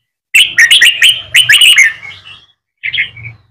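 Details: Young red-whiskered bulbul being trained to sing the double-voice style for song contests: quick bright chirping phrases tumble out, about eight sharp notes, then a pause and one short closing phrase over faint low hum.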